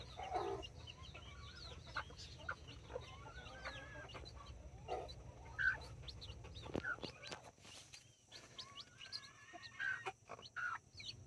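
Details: Backyard flock in Colombia of nine chicks, four mini and five Brahma, with two mother hens; scattered high chick peeps and occasional short clucks over a steady low hum, with a few sharp clicks.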